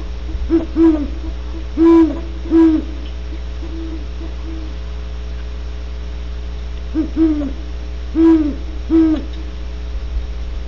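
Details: Great horned owls recorded in California: clusters of low, resonant hoots, one burst at the start and another near the end with a long quiet gap between, backed by steady mains hum.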